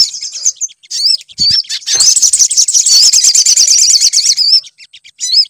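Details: High sunbird twittering, used as a lure to set birds singing, starts with short looping notes, builds into a dense rapid trill for about three seconds, then ends in separate whistled phrases.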